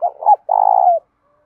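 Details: Spotted dove song in the 'đồng' style with a hint of 'thổ', played to train and provoke doves: a pair of brief hoots, a short pause, then a sustained, vibrating coo that drops off at the end.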